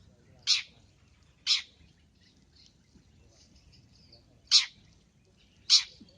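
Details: Long-tailed shrike in a lively masteran recording, giving four loud, harsh, rasping bursts, two close together at the start and two near the end, with quiet gaps and faint thin notes between.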